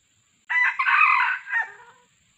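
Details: Red junglefowl, described as fierce, recorded during decoy luring in 2020: one loud, harsh crow lasting about one and a half seconds. It rises quickly, holds strong through the middle and ends in a clipped, fading tail over a steady faint high hiss.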